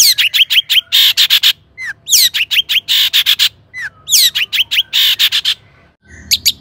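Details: Long-tailed shrike song played as a lure to raise other shrikes' excitement: quick series of high chip notes, dense harsh buzzy bursts and upward whistled slurs in fast phrases, a brief pause near the end.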